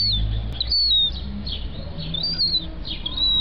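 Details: Gull chick about 30 days old, kept at a home, giving thin high whistled peeps. The peeps slur downward and repeat irregularly over a low rumbling background.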